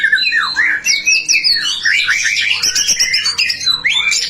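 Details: Dense, fast song of a white-rumped shama, offered as a lure to get other shamas singing: overlapping high whistles and slurred warbles pour out almost without a gap, with scratchy chatter in the middle.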